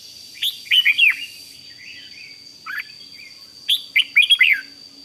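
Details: 'Rik' style song of a red-whiskered bulbul, used to excite other bulbuls: a lively phrase of slurred whistled notes, a brief single note, then another bright phrase, over a steady faint whine.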